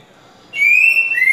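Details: Green-winged saltator (trinca-ferro) singing the slow 'grego boca mole com boi' style, played to teach chicks their song: a loud, clear whistle held steady, then a second note slurring upward, in a quiet room.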